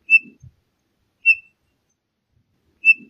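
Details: Single clear whistled notes of Townsend's solitaire, evenly pitched and brief, repeated at irregular intervals roughly a second or more apart, with faint low clicks.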